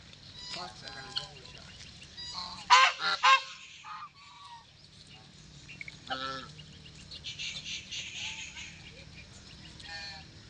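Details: Pet white call duck quacking: a quick cluster of loud, harsh, nasal quacks near the middle, with softer quacks scattered before and after, over a low hum and quiet background chatter.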